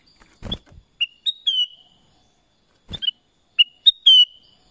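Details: Black-crested bulbul, known locally as kutilang emas, repeating a three-note whistled phrase twice about two and a half seconds apart, each ending in a drawn-out ringing note, with dull thumping knocks before each phrase.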